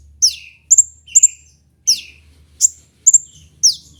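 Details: Sunbird called kolibri ninja in local bird-keeping, kept for training other birds. About seven piercing high notes in four seconds, some doubled, others sliding sharply down into a lower buzzy tail.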